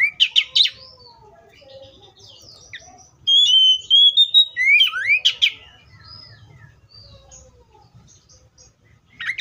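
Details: Oriental magpie-robin song with rapid buzzy chirps, then a long sweet whistled phrase wavering around one pitch and ending in rising slurs, with softer chatter in between.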